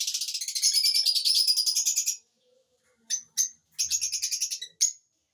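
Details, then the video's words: Lovebird chirping in a rapid, harsh, high-pitched chatter: a two-second run, then short bursts and another fast stuttering series. "Love Birds Chirping Sound"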